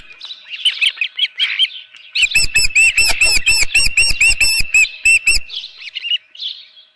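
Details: At a ranch nest in June 2018, shortly after 7:30 AM, an osprey with a live fish gives soft high whistles, then a burst of loud, evenly spaced chirps with clicking, then quieter whistles.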